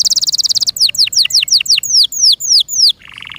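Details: Singing canary kept by its owner delivers a fast, even trill, then slower, loud, downslurred whistled notes, ending on a soft buzzy phrase.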